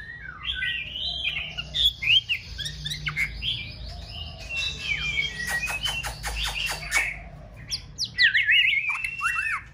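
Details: Female white-rumped shama, fully feathered and preparing for breeding season, singing to stimulate a male: varied sweet whistled phrases, rising and falling slurs in quick succession, with sharp clicking knocks between phrases and a low steady hum behind.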